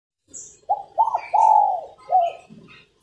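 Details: Female spotted dove cooing to stimulate males to sing: one phrase of five soft, low coos, two short notes, a long drawn-out third coo, then two shorter falling notes, in a quiet setting.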